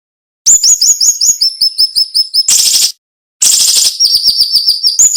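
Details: Sharp, tight 'nembak' tutor song of a cinnamon-bellied flowerpecker. Rapid series of piercing high downslurred notes are cut by two harsh rasping bursts with a short silence between them, and the thin notes resume afterwards.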